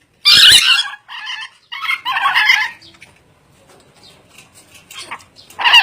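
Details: Ornate lorikeet screeching loudly: a very harsh opening shriek, two rasping buzzy bursts, a quieter chattering stretch, then another harsh shriek at the close.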